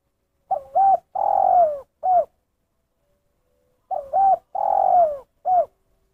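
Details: 'Kuk satu' call of a spotted dove: two identical phrases about three seconds apart, each a hooked double note, a long drawn-out falling coo and a short clipped closing note, with no other sounds.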